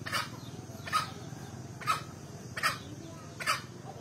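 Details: Male green junglefowl calling actively, giving short harsh bursts about every 0.8 seconds over a low background hum.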